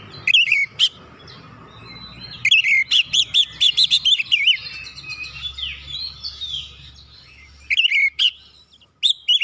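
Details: Oriental magpie-robin singing to provoke other birds: a brief whistled phrase, a pause, then a long run of rapid rich warbled and chattering notes, silence, and two short closing bursts over faint low hum.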